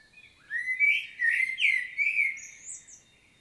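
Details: Common blackbird singing a solo in Świnoujście, Poland, on 25 September 2022, field recording: a run of low, mellow fluted warbles in quick succession, closing with a thin, high squeaky twitter, against a quiet background.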